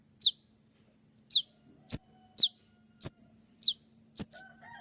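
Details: Dawn training song of a spotted kolibri ninja sunbird, sharp 'shot' notes; a run of piercing high downslurred chips at irregular intervals of about a second, ending with a brief thin whistle and faint lower tones.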